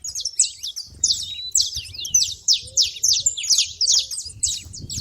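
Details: At a feeder, saffron finches give loud, high, buzzy chirps in quick bursts, some notes sliding downward, with faint soft low tones underneath.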